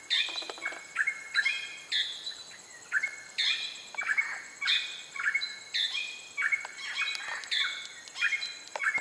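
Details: Greater racket-tailed drongo on Pulau Weh, Indonesia, sings a varied run of loud metallic whistles, chirps and abrupt notes, roughly two phrases a second, over soft background hiss.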